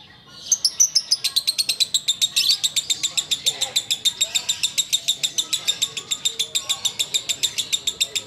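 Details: Ngekek singing by a sooty-headed bulbul while waiting to break the fast: after a brief quiet start, a sustained, loud stream of crisp, rapidly repeated chattering notes, about three and a half per second.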